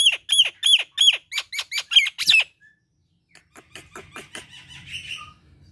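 Nias hill myna giving a rapid run of about ten loud, harsh downslurred notes in two seconds, then a pause and a softer stretch of scratchy chatter.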